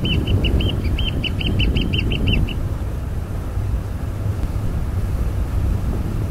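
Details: Australian pied oystercatcher, one of a pair foraging on the tidal flat at Burnett Heads Boat Harbour, Queensland, hunting soldier crabs: a quick series of about ten sharp, high piping notes over two and a half seconds, over loud, constant low rumbling noise.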